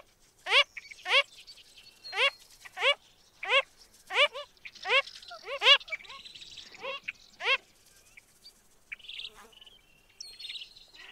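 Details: A Wilson's phalarope, a rare winter visitor in Hawaii, gives a run of short, nasal, honking notes, about one every half to one second, then falls quiet amid faint background sounds.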